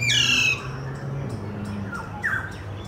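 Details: In Kolkata, India, an Alexandrine parakeet opens with a strong, raucous screech. A couple of fainter, shorter rasping notes follow over a low steady hum.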